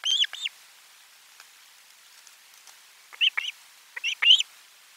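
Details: Osprey at the nest with a lunchtime fish delivery, nest camera four, 12 July 2022: a short pair of shrill chirps, a pause of almost three seconds, then two more clusters of sharp, high calls.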